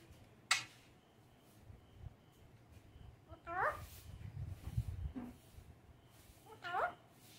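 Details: Pet Indian ringneck parakeet talking, two short, nasal, speech-like phrases a few seconds apart, with a sharp click and a low indoor hum in the background.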